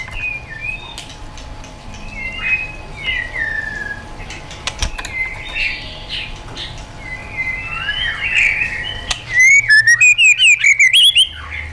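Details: White-rumped shama singing in wild style for training caged birds. Quiet, distant warbles and a faint hum come first, then a sudden loud burst of fast, descending whistled notes near the end.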